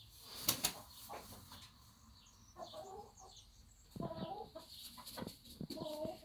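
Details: Backyard farm hens quarrelling over the best laying spot: harsh, loud clucks and squawks come in short bursts near the end, after quieter scattered clucking and a brief sharp noise early on.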